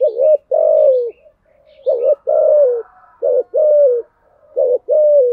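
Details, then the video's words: Spotted dove cooing steadily in THÚC GÙ fashion, four paired phrases of short hooked note plus longer falling coo, mellow and low, with faint soft murmurs in the gaps. "Tiếng chim cu gáy bài bản THÚC GÙ"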